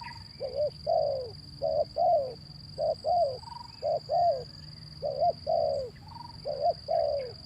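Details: Male zebra dove producing lure calls for non-singing doves: clustered low coos in twos and threes, slightly irregular, each burst about a second apart, with soft higher whistled notes between and a steady thin whine above.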